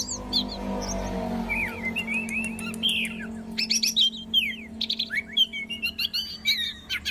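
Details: Orange-headed thrush singing varied warbled phrases of fluty slurs, quick chips and scratchy notes, growing busier toward the end, over a steady low hum.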